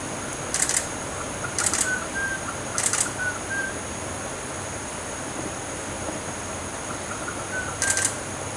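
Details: A song wren (Cyphorhinus phaeocephalus) at Gamboa Rainforest Resort gives sharp, dry knocking clucks every second or so, mixed with faint, pure mid-pitched whistles, over a steady high insect-like hiss.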